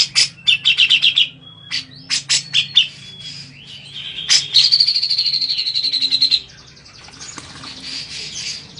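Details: Bathing grey-cheeked bulbul singing to provoke replies from other birds: quick chattering trills and sharp broadband notes, then a long even high trill of rapid pulses lasting about two seconds, followed by softer chatter.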